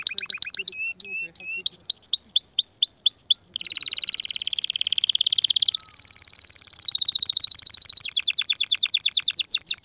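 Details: Loud, excited canary song meant to prepare females for mating and stimulate nest building: high chopped whistled notes repeated quickly, then a long dense buzzing trill, ending in fast rapid-fire syllables.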